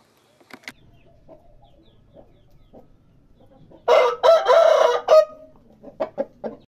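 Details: Rooster crowing: a loud, harsh, drawn-out crow lasting about a second and a half, followed by shorter clucking notes, with scattered quiet clucks and thumps before it.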